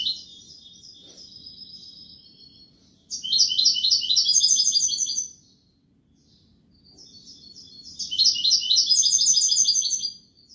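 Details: European goldfinch delivering Málaga-style copla song: a soft trilled opening, then two loud bursts of quick, sparkling twitters and jangling trills, each lasting about two to three seconds, with a quiet gap between them.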